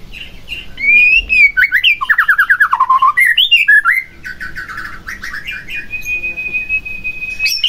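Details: White-rumped shama singing, used to provoke another shama into song: rising whistle, then a rapid series of repeated trilled notes dropping in pitch, scratchy mimicked phrases, and a long steady whistle.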